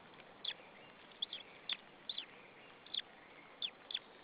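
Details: Chirps of a white-tailed eagle chick in an Estonian nest at Saunja, 26 April 2013, 14:37, ahead of feeding: short piercing peeps, single or paired, about one every half second, with faint hiss behind.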